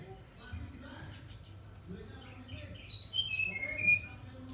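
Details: Brown-chested jungle flycatcher in full song, giving one loud phrase of sweet whistles that slide downward note by note. A low murmur of voices and room noise comes first.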